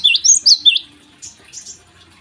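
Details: Java sparrow singing in the morning, a short run of four bright chirping notes in the first second, then a couple of fainter high whistles.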